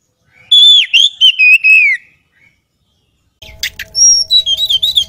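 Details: Kacer (oriental magpie-robin) kept by enthusiasts: a loud descending phrase of fluid whistles, then silence, then a second burst of sharp notes and whistles over a faint steady hum.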